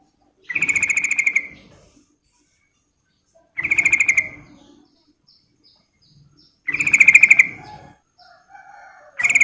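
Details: Sooty-headed bulbul female calling a male with buzzy, slightly harsh phrases, each about a second long and repeated every three seconds. Faint, thin chirps from another bird sound in the gaps.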